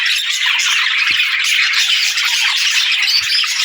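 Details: Steady chorus of budgerigars, overlapping fast chirps and scratchy warbles packed tightly together without a pause, with two soft low thumps in the background.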